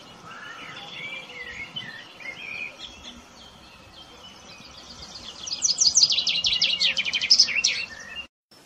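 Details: Chaffinch singing. Faint twittering comes first, then a loud, rapid, descending series of sharp repeated notes closes with a brief flourish before sudden silence.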